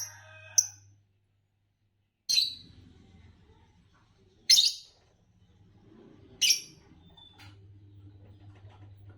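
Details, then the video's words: Green Fischer's lovebird giving short, shrill, scratchy chirps, four sharp bursts spaced roughly two seconds apart over a steady low electrical hum. "Lovebirds Chirping"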